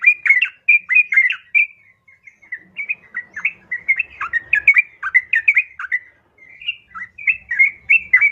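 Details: A female yellow-vented bulbul calls for a male. Phrases of liquid, chattering notes come in loose groups across eight seconds, broken by brief pauses.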